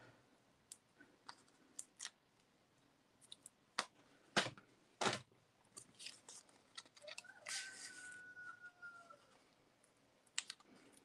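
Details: A backyard rooster, one of four in a home flock, gives one drawn-out crow of about two seconds, rising, holding steady, then dropping off, heard outside while close snipping, tapping and paper rustling go on indoors.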